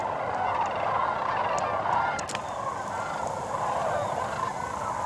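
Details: A large flock of sandhill cranes gathering for the night in a shallow marsh at Sevilleta National Wildlife Refuge around dusk, with more birds still arriving; their rolling, rattling bugles blend into a steady, dense chorus with no pauses.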